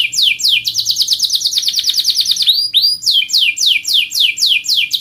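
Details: Canary in rolling song: loud, fast series of high, downward-sweeping chirps repeated several times a second, then a short rise of swooping notes before the rapid falling chirps resume.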